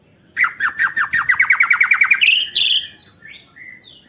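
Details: White-rumped shama singing to stimulate other shamas: a fast, steady series of about a dozen repeated downslurred notes, rising at the end into higher whistles and soft trailing notes.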